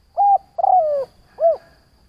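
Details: One complete phrase from a decoy spotted dove calling to entice other doves: a brief level coo, a longer wavering coo sliding downward, and a short arched note, mellow and close.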